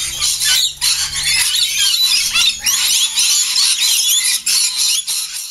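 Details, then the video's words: Lorikeets in a morning feeding frenzy lasting about ten minutes before the flock leaves for flowering trees; many birds screech and squawk together in shrill overlapping bursts, with short pauses and a faint low hum beneath. "Lorikeet frenzy"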